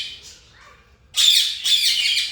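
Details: Captive yellow ringneck parakeets at an aviary, breeding pair with a nest box and eggs, give loud, harsh, high squawks in two rough bursts after a quiet start with faint softer bird notes; no microphone used.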